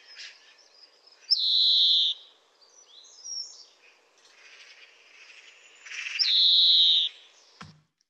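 A European greenfinch gives two long, drawn-out wheezy notes, each rising then holding for under a second, several seconds apart, with faint softer twitters between.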